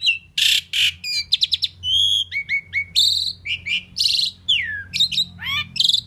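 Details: Indian pied myna, a talking bird that can say "Mynah" and other words, in a lively mix of loud harsh rasps, rapid ticking notes, clear held whistles and swooping slurred calls, with almost no pause between sounds.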